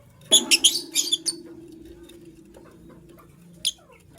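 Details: A white lovebird from a matching couple, kept as a pet, chirping in the morning: a quick series of sharp, high chirps in the first second, then a steady low hum and one lone chirp near the end.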